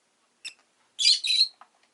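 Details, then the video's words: Agapornis roseicollis, a pet lovebird, makes one brief high chirp, then a harsh, rasping squawk lasting about half a second, followed by a faint soft note. "Lovebird Chirping Sounds"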